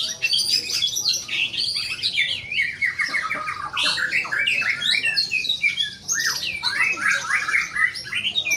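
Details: Contest-singing white-rumped shama: a dense, fast stream of shrill whistled phrases, squawks and trills, unbroken for several seconds amid loud background chatter.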